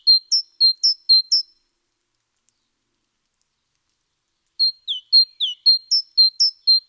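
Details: On 29 October 2017 a great tit sings a short run of sharp, high two-syllable phrases, falls silent for about three seconds, then delivers a longer sequence of the same repeated ringing notes.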